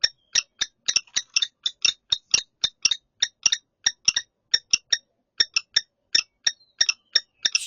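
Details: In early spring, a female common kestrel visiting a candidate nest site alone at an apartment building gives the chirping call that claims the nest: sharp, high, clipped notes, three or four a second, in an even, insistent run.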